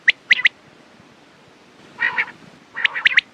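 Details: Short quail sequence for morning and night use: a quick burst of three sharp notes, a pause, a raspy grating call, then another fast cluster of crisp chips.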